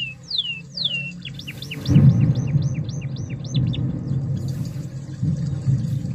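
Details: Canary song as a lure for a reluctant singer: two descending slurs, then a rapid run of repeated hooked chirps over a loud low rumbling background noise.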